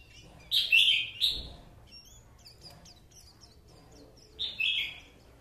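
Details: Loud, bright bursts of high chattering warble from a white-eye, one burst near the start and another near the end, with softer faint chirps between over quiet background.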